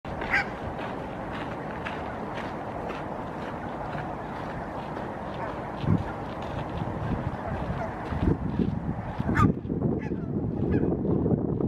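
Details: Barnacle geese swimming and interacting near the shoreline in Helsinki, Finland, in October 2022 give short, yapping honks at an uneven pace over a steady rumble of water and wind.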